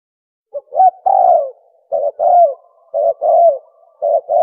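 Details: Spotted dove call used as a hunting lure: mellow mid-pitched cooing in repeated phrases, a short clipped note followed by a longer drawn-out, slightly falling coo, about once a second on a clean, quiet background.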